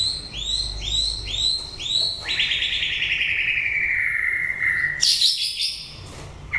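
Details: White-rumped shama at the close of the breeding season gives several quick arched notes, then a long, smoothly falling whistle lasting about three seconds, ending in a sharp high flourish.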